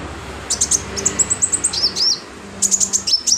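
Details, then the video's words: Sunbird singing as filler for training birds: rapid runs of thin, very high ticking notes in quick bursts, broken by a short slurred twitter, over a steady low hum. "BURUNG KOLIBRI/CONIN GACOR buat isian"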